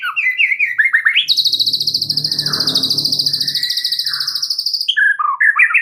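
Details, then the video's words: White-rumped shama, billed as an extra-chatty master songster: quick warbled notes lead into a long, high, steady ringing trill lasting over three seconds, then tumbling whistled phrases, with a low rustle beneath. "Audio Gacor MURAI BATU Extra Rewel"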